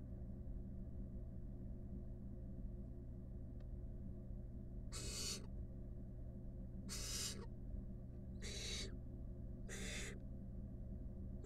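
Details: Wild barn owl nestlings, five huddled together in a nest box under research monitoring: after a quiet start, four harsh rasping hisses come at intervals of one to two seconds over a constant low hum.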